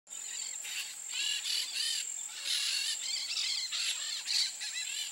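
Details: Peach-fronted parakeet (Eupsittula aurea) giving harsh, screechy bursts in quick runs, each rasping note stacked and slightly arched, over a steady high-pitched insect drone.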